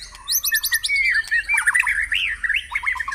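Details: White-rumped shama song played to spur caged birds into singing during a morning airing: rapid buzzy trills high up, then loud looping whistled phrases that rise and fall, run together without pause.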